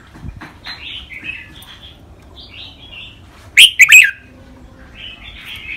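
Red-whiskered bulbul singing short, bubbly, warbled phrases in quick succession, with one loud, rich burst of notes toward the end.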